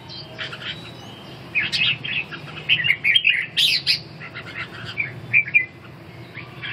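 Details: Dueling contest of red-whiskered bulbuls: quiet at first, then clusters of sharp, bubbly chirps and rising whistled notes come in rapid bursts.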